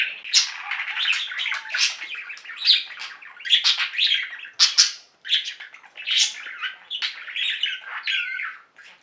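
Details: Indoor singing flock of budgies, slightly quieter, giving rapid scratchy chirps, squawks and brief whistles in close succession, with a short wavering whistle near the end.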